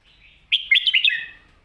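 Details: Red-whiskered bulbul, a cage bird, sings a complete, quick song phrase used for teaching young birds: a short burst of bright, rapidly warbled whistled notes, about five quick syllables falling slightly at the end, in quiet surroundings.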